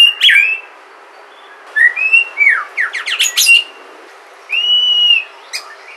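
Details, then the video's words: White-rumped shama of Sumatra, a lure recording to make other shamas sing: loud whistled phrases with sharp downward-sweeping notes, a quick rattling cluster, then a long sustained high whistle after a pause. "Pancingan suara murai batu asli sumatra, suara asli alam."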